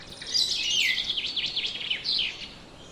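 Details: Loud, continuous rasping chatter from a black-naped oriole: harsh, nasal notes wavering up and down in quick succession, with a brief dip before a final burst of scratchy calls.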